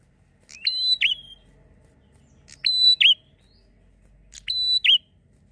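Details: Singing bar-winged prinia, a steady song used as a lure for prinias. Three loud repeated phrases of a sharp tick, a flat high whistle and a dropping twisted note, about two seconds apart, over quiet background.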